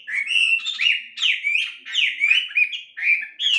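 An Ashy Tailorbird sings a fast, chattering run of bright, high chirps and short rising and falling notes, about one phrase every second.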